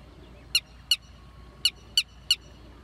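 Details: Red-wattled lapwing calling: five sharp, loud, piercing notes in an uneven sequence over a low background hiss.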